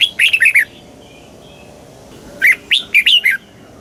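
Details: Thai caged red-whiskered bulbul giving southern master-style song for stimulating caged birds and teaching chicks. A short run of sweet, slurred whistles opens, then after a pause a second, slightly longer phrase of bouncing notes.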